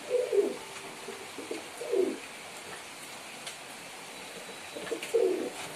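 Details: Domestic pigeon cooing: three soft, throaty, slightly descending coos spaced irregularly over a few seconds, with quiet gaps and light background hiss.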